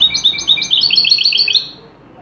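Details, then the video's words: A European goldfinch sings a traditional Tunisian song style used to tutor goldfinches: a quick, liquid run of tinkling, twittering high notes lasting under two seconds, then falls quiet against faint background hiss. "chardonneretطرقة جغل مميزة"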